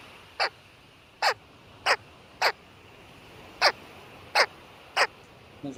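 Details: American white pelicans at San Jacinto Wildlife Area, California, giving seven short, harsh barking grunts at irregular intervals of about one second, like a small dog yapping, somewhat like a great blue heron, over steady background hiss.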